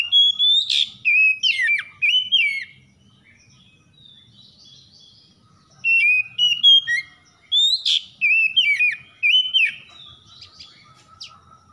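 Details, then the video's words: Oriental magpie-robin in a morning-dew trigger recording for stressed kacer: two long runs of rapid, varied whistles with sharp high chirps and dipping slurs, about four phrases a second, divided by a near-silent stretch. "PANCINGAN KACER EMBUN PAGI"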